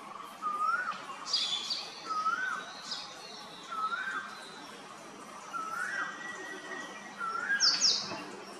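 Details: A male purple sunbird calling: two sharp, high, twittering bursts over short, lower, rising whistled notes repeated every second or two, with steady background hiss.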